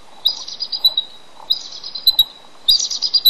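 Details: Male bald eagle incubating eggs on a nest in a restoration project, calling out for his mate to come and relieve him: three bursts of thin, high chittering, piping notes, roughly one burst every 1.2 seconds.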